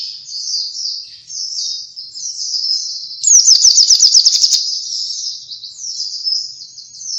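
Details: Oriental white-eye song for luring birds: soft rippling high phrases repeating about every second, broken in the middle by a loud, fast run of sharp chattering notes, then easing back to gentle warbles.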